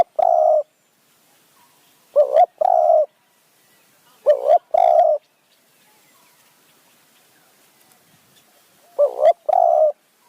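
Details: Spotted dove used as a decoy to lure wild doves in high forest in Kanchanaburi, Thailand, giving soft low cooing phrases in paired coos, each pair followed by long pauses.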